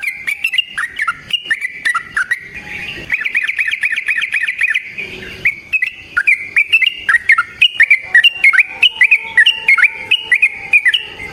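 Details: Yellow-vented bulbul (trucukan) in lively fighting-style rapid song used to trigger and train other bulbuls: dense chains of whistled notes, a fast even stutter in the middle, then jumpy rising and falling whistles with faint background murmur.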